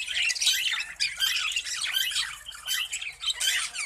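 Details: Budgerigars in a breeding colony chattering together: dense, overlapping high squawks, chirps and warbles with no pause, a continuous busy flock chorus.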